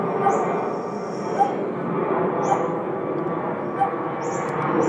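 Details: Coppersmith barbet giving short, low, hollow notes repeated about every one to one and a half seconds, half buried in broad background noise, with thin high chirps from other birds above.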